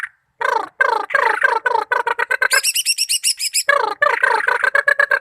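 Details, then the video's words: Greater green leafbird from Malinau singing a fast, varied song: rapid strings of harmonic, downslurred notes, then a burst of high, thin whistled notes, then a return to dense chattering phrases with no other sounds. "Cucak ijo mania malinau"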